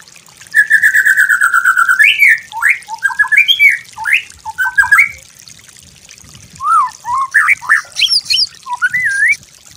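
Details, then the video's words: White-rumped shama master song for birds to learn: a long, level, buzzy trill, then jumbled twisting whistled phrases, a pause, and more varied rising and dipping notes. "MASTER MURAI BATU YANG GAMPANG DITIRU, DI BANDING BURUNG MASTERAN"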